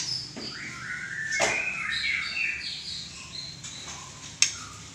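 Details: White-rumped shama with a drooping tail singing a quick series of whistled and chattering notes, mostly in the first half, broken by sharp clicks and thumps, then quieter.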